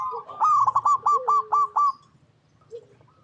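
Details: Local zebra dove in active song in natural habitat: a clear phrase of about seven evenly spaced, clipped coo notes in quick succession, followed by near silence and a faint low note.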